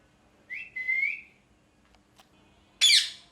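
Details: Parrot calling: a rising whistled note that slides into a longer steady whistle, a pause with a faint tick, then one loud, rasping screech that fades quickly.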